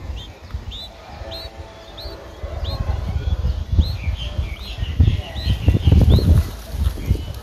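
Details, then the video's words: Streak-eared Bulbul nestling, nine days old, in Ubon Ratchathani, Thailand, on 11 April 2023: thin, high, hooked chirps repeated about twice a second over a steady low rumble. "นกปรอดสวน อายุ 9 วัน : Streak-eared Bulbul (Pycnonotus blanfordi)"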